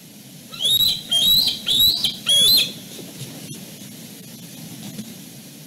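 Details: Young bald eagles at Fraser Point squabbling at dusk, a returning male and his younger sister tussling over their places on the branches: four loud, high, slightly rising chattering notes in quick succession, then quieter background rustle.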